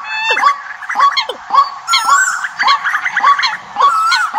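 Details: Decoy calls used in the migration season. Several birds chatter together, with repeated sharp descending whistles about every half second and short high squeaky notes on top.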